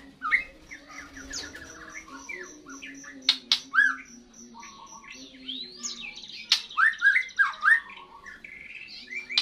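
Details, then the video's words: Young white-rumped shama after moulting, singing a jumbled run of whistled slurs, harsh squawky notes and quick chatter, with a thin repeated buzzy trill and steady low hum in the background. ""Nyanyian" PERTAMA TROTOL MURAI setelah MABUNG"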